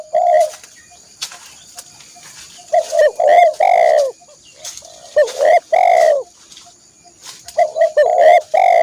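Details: Spotted dove song for training caged birds. Three rich, repeated coo phrases are each made of several rapid notes ending in a longer coo, with near-silent pauses between them.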